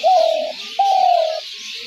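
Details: Spotted dove used to lure doves into traps, giving two long smooth cooing notes in quick succession over a steady high hiss.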